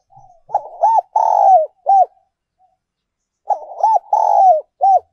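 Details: Spotted dove decoy recording, 'còi' or 'kim' voice style: the full coo phrase is given twice, a few seconds apart. Each has short hooked coos, a long falling drawn-out note, and a clipped final coo. Faint low thumps are heard.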